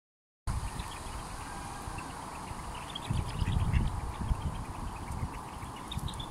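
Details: Mandarin ducklings from two broods, twenty chicks together, giving many short high peeps scattered through the clip, overlapping and irregular, over a strong low rumbling background noise.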